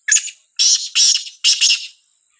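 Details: Sindhi black francolin calling in a village: four harsh, grating bursts in quick sequence, the first short and the next three longer and paired, all high and broadband, with a faint steady high whine behind.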